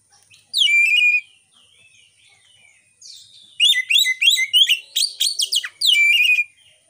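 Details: Lure song of a white-rumped shama, used to raise emotion and breeding urge in other shamas; a long pure whistle, soft warbled notes, then a rapid burst of ringing chirps ending in another sustained whistle.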